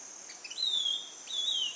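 Ringed Antpipit giving two high, thin whistles, each sliding downward, about a second apart, over a steady high insect drone.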